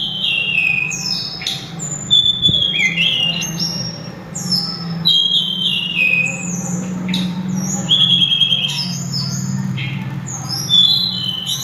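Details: Sulingan, also called tledekan gunung, singing loud and melodious: high, thin whistled notes, many sliding downward, delivered in quick irregular phrases over a steady low hum.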